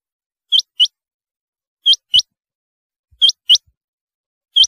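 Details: Rain quail, known locally as chinga batair, giving bright rising double notes, each pair about a quarter second apart, repeated roughly every one and a half seconds in a still, clean setting.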